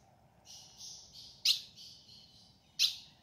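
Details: In the sertão caatinga, a female ultramarine grosbeak calls to get the male singing, giving two sharp, clipped chips about a second apart while a high, hissing drone runs underneath.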